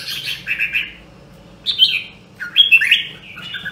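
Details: Three separate phrases from a rare Nam Đông, Huế red-whiskered bulbul in voice training: a warbled opening, then a sharp rising note, then a quick tumbling whistle, spaced about a second apart above a low hum.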